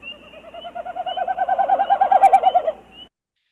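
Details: Wilson's Snipe winnowing, made by air through its fanned tail feathers rather than its voice: a hollow, fluttering hoo-hoo-hoo of rapid pulses swelling louder over about three seconds, then fading, a sound that carries far across a marsh.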